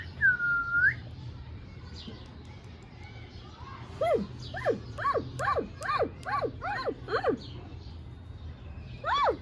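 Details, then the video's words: A ringneck parrot opens with one clear scooped whistle, then after a pause utters a series of about eight rapid arched, nasal syllables, each rising then dropping steeply, over quiet indoor background. "Mian Mithu Chori Khani hai Speaking clearly / beautiful Ringneck Parrot Talking"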